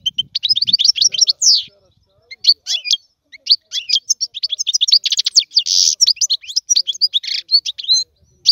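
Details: European goldfinch in continuous song used for teaching young birds: rapid, high tinkling twitters and chirps tumbling one after another, with a few buzzy notes and brief pauses, in a clean recording.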